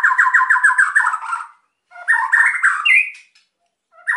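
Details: White-rumped shama, a kept songbird, singing excitedly to provoke silent birds: a fast trill of repeated rolling notes, a pause, then a second rising, chattering phrase ending in a higher whistle.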